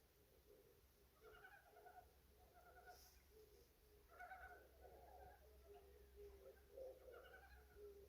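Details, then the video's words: Strange-sounding bird giving low, hoarse, harmonic calls in short phrases roughly every one to two seconds, some notes wavering, over a steady low hum. "진짜 이상한 새소리"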